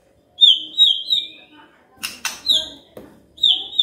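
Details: Magpie-robin song meant to get a quiet bird singing: high, thin, sustained whistles interrupted by a few sharp clicking notes.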